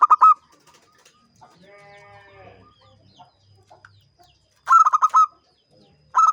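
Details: Local zebra dove rated a champion, singing gacor ngancing: clipped phrases of fast rolling coos at the start and end, a longer phrase midway, and a separate harmonic nasal call between them.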